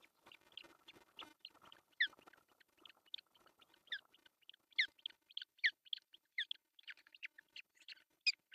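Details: Osprey at a nest camera in Pohjois Satakunta, Finland, June 10, 2024, while the male arrives with a large fish for breakfast. Series of high, downward-slurred whistled chirps, irregular at first, then louder and more frequent.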